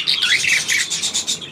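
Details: Budgerigar filmed on 9 February 2024, giving a quick run of high, scratchy chirps and warbled notes in short bursts, with faint background hiss.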